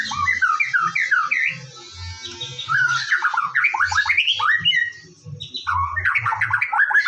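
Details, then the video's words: Lively morning song of a white-rumped shama, used as a lure track: rapid, varied whistles and warbles tumbling up and down in quick phrases, a brief pause, then another energetic burst, low hum underneath. "PANCINGAN BURUNG MURAI BATU DIPAGI HARI AGAR GACOR"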